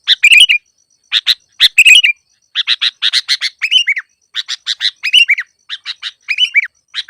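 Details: Sooty-headed bulbul lure song for trapping birds: clusters of sharp clipped chirps alternating with liquid bubbly phrases, delivered in uneven bursts over several seconds, close and clear.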